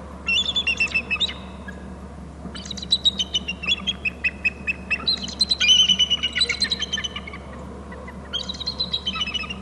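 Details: Two eagles at a nest territory on Hornby Island, one arriving onto a branch, both calling: high, thin chattering bursts of rapid staccato notes every couple of seconds over a steady low hum.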